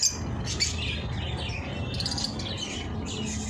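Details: Ring-eye lovebirds chatter in quick, shrill chirps and squeaky notes, several overlapping, over a steady low hum.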